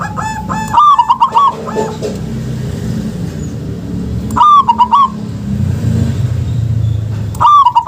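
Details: Zebra dove of a local strain, played to stir silent doves into calling. Three bursts of rapid, bubbling cooing notes come several seconds apart, each a short rolling phrase with a low rumbling hum between them.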